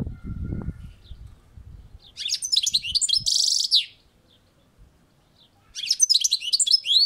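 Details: European goldfinch singing on a balcony: a rich jumble of high tinkling twitters and a short buzzy rasp, a pause of about two seconds, then another lively twittering phrase; low thumps at the start.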